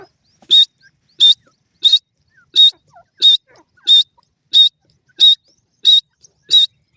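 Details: Grey francolin, called teetar, giving a sharp, high call note repeated at steady intervals of about seven-tenths of a second, ten times in a row, with no other sounds.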